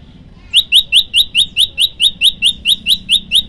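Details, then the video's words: Prinia called prenjak lumut, tutor song delivered as a long breathless 'tembakan' volley: about fifteen bright, rising chips repeated evenly several times per second. Faint low hum beneath. "tembakan 40 detik sekali napas masteran prenjak lumut"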